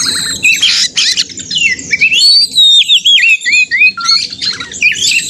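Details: Oriental magpie-robin in loud, fighting-style song used to provoke other caged birds to sing in contest simulation; dense high whistles, sweeping slurs and rapid chattering notes in tight bursts, with a faint low hum beneath.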